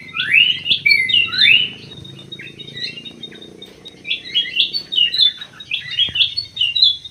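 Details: Aviary-kept greater green leafbird pouring out rich swooping whistles, a quieter pause, then a rapid chattering run of varied chirps and trills, with faint background hum.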